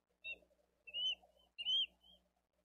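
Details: Bald eagle chick begging for food at a Dade County nest cam, 13 April 2023, as a parent feeds the older chick a delivered fish; three thin, high whistled peeps, the last two longer and slightly upslurred.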